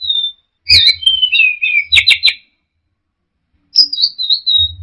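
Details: Teler-style song of an orange-headed thrush: a thin steady whistle, then a jumble of descending slurred notes and dense chattering trills, a pause, and a final long falling whistled phrase, with low knocking sounds.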